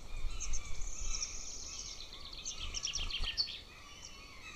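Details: Hungry golden eagle eaglet at its nest in June, trying to swallow a bone from scraps, near a military training ground: thin high peeping notes in quick uneven series over low rumbling background noise.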